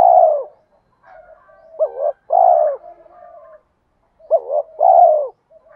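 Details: Spotted doves, male and female, cooing to stimulate trained birds to answer. The clip opens mid-coo, then gives two paired phrases of a brief quavering note and a full, drawn-out coo, with faint murmuring notes in between.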